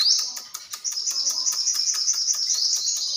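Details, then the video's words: High, sustained sunbird trill, unbroken for three seconds and cut through by fast, regular ticking pulses, about eight per second. "tiếng chim hút mật"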